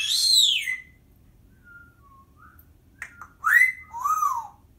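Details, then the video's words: Timneh African grey parrot kept as a pet and talking in a small room: a loud arching whistle, brief soft tones, a click, then rising and falling whistled syllables. "Talking - Timneh African Grey Parrot"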